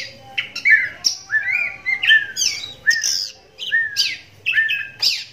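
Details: Kept adult oriental magpie-robin, blind in its right eye from a cataract since young, whose song prompts other magpie-robins to reply; rich varied phrases of slurred whistles and sharp high chirps follow each other rapidly, loud and continuous.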